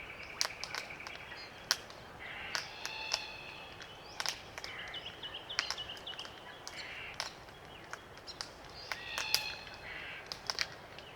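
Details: Small group of Glossy Black Cockatoos feeding on Allocasuarina cones, Macleay River valley, NSW, Australia; repeated creaky, grating harmonic calls over steady sharp clicking of cones being worked.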